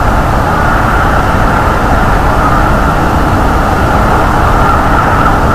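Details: Loud, constant low roaring of wind buffeting a microphone on a February morning, with no animal call.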